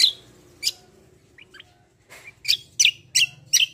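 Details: Black-winged myna in lively competitive song: an opening loud chirp, brief quiet whistles, then a fast series of four or five loud sharp chirps, with a soft steady hum.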